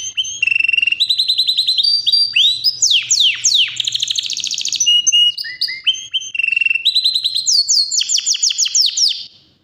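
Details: Non-stop, powerful Yorkshire canary song: rapid tours of chirps, steep downward sweeps, a brief lower warble, then a fast run of bright repeated notes. The song is loud and continuous throughout.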